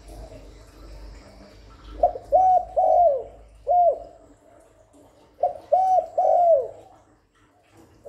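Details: Continuous spotted dove cooing meant to lure other doves: two phrases about three seconds apart, each of three or four clear, low hollow coos, the last longest and downslurred, in a quiet background.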